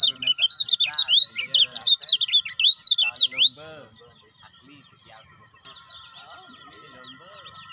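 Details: Lemon-bellied white-eye, a caged bird, played to stimulate other caged birds to sing: a rapid run of high, twisting chirps and slurred whistles for about three seconds, then fainter scattered notes over a steady low hum.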